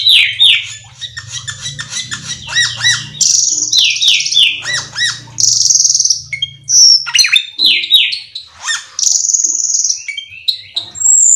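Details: Lively, energetic cucak keling song meant to coax other birds of its kind into singing: rapid strings of sliding whistled notes, bright buzzy trills and abrupt chirps in a continuous medley, with a soft low drone behind.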